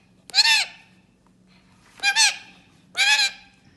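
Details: Three coarse, buzzy honking squawks from a parrot, irregularly spaced about a second apart, some with a doubled rough note; low background hum.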